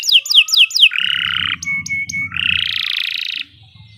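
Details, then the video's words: Canary song for song-training use: four quick falling whistles followed by harsh buzzy bursts and short high clicks, then a long grating buzz that stops abruptly, with a low murmur behind. "Kicau Burung Kenari 107 II GACOR PANJANG Cocok untuk Masteran"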